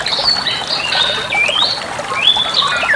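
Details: Master recording of a Bali myna for bird training: drawn-out whistles that swoop up and down, a long rising slur in the middle, over a background of faint chatter.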